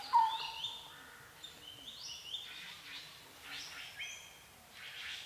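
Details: Several bird species calling in a Thai forest at Phusing, Sisaket: a sharp opening whistle, then softer layered chirps and rising glides, some buzzy, in a quiet outdoor background.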